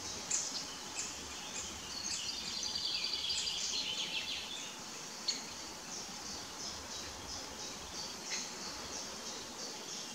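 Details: Young Great Spotted Woodpeckers calling from the nest-hole entrance a few days before fledging, with male and female also present; a dense, rapid high-pitched chatter of short repeated notes runs through, over steady background noise.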